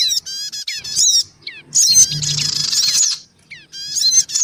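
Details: Male, female and young black-winged cuckooshrikes in a bird-luring recording: short high chirps and downslurred notes, a dense scratchy burst of chatter in the middle, then more clipped chirps, over a low hum.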